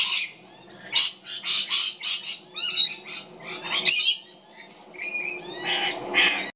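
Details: Mother magpie feeding one of her babies; the chick utters repeated harsh rasping squawks in short bursts roughly every half second, with a few thin chirps between.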